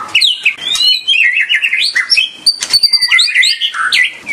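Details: White-rumped shama pouring out quick whistled notes and twittering trills, phrases rising and falling in pitch with crisp sharp accents.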